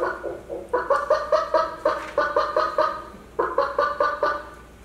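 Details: A chicken gives a run of short, nasal clucks, about a dozen in quick uneven bursts, with a brief pause before a final group; played as an example of bird sound production.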